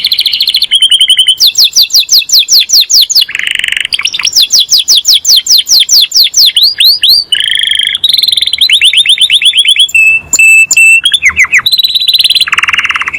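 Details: Singing master canary, said to call its friends and to fight; long varied song of fast descending note series, deep rolling trills and clear steady whistles, strong and continuous.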